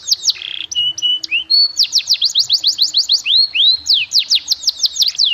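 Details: Canary master song in the luxurious 'cengkok mewah' style, used to train young and untrained birds to sing. Fast, varied high phrases: short whistles, then rapid downslurred sweeps repeated several times a second, ending in rising rolled notes.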